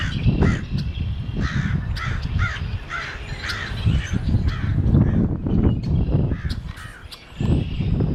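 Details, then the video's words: Crow giving a series of rasping caws, several in quick succession, late on Good Friday afternoon 2010 after heavy rain and wind that morning. Deep background rumble runs throughout. "Holy Week Crow Making Noise"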